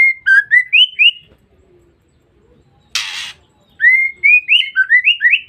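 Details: Lure call of a female white-rumped shama for provoking males. Bright rising whistles lead into a pause and a single harsh rasp, then another quick sequence of upslurred, whistled notes.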